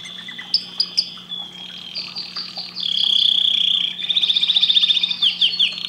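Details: Canary in full song: varied chirps, a long sustained whistle, then rapid repeated rolling trills, loud and continuous, over a faint steady low hum.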